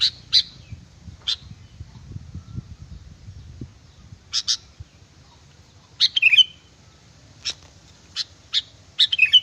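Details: Sooty-headed bulbul song used as a lure: clipped high notes and rapid warbling whistled bursts, some doubled, spread unevenly across the recording with faint low background noise.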